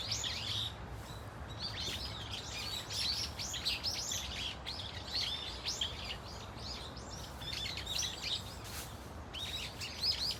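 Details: Brown-eared Bulbuls in a flock at Dunsan Grand Park give a variety of loud, high, looping squeals that overlap in bursts, with short gaps between volleys and faint low rumble underneath.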